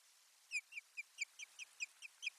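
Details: Osprey calling at the nest while carrying soft lining material, 1 May 2020: clipped, downslurred whistled yelps, roughly ten in quick but uneven succession, clear against quiet background.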